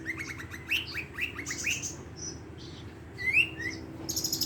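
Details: Madura long-tailed shrike in a song packed with borrowed phrases of sparrow and lovebird, used to train and lure other shrikes. Quick rising chirps in series, then buzzy high notes and a short trill at the end.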